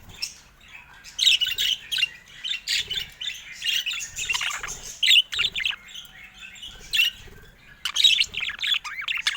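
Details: Pet budgerigar chirping while being played with: bursts of bright, high tweets and squeaky trills in clusters separated by short pauses, with a few soft clicks between them.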